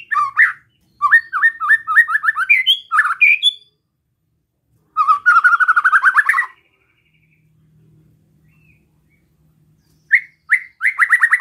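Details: Besetan-style song of a white-rumped shama, used to rouse other shamas: fast repeated whistled notes and a rapid rattling trill, with pauses between bursts.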